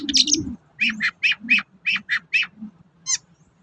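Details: Long-tailed shrike lure recording meant to provoke quiet birds into singing: a harsh opening burst, then a run of short nasal squawks in quick succession over a faint low hum.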